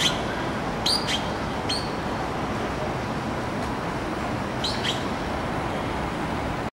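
Red-billed blue magpie giving three brief, high, sharp notes spread over several seconds, half-buried in a steady rumble of traffic-like background noise.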